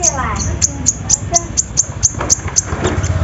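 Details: Kolibri ninja sunbird lure for prompting song: very high, crisp chirps repeated regularly about four times a second, over lower murmuring, voice-like sounds and background noise.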